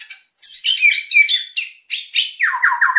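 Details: Captive white-rumped shama in energetic 'gacor emosi' song, used to spur quiet birds into singing: dense bursts of rich, varied buzzy and whistled phrases, then a rapid descending series of slurred notes at the end.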